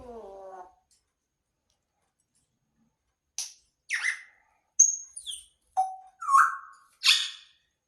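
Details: Grey parrot indoors producing a harmonic vocal note, then after a silence a run of sharp whistles and chirps, some sliding downward, some flat and clear, spaced about half a second apart.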